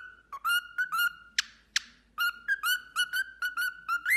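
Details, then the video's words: Pet cockatiel whistling indoors while playing on a toy swing: steady mid-pitched whistled notes repeated about twice a second, broken by two sharp, raspy bursts. "cockatiel bird singing and talking"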